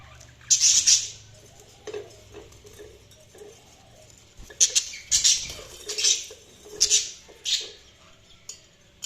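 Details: Budgerigars giving spaced bursts of high, scratchy chirps roughly once a second, with faint low tapping or pattering sounds in between.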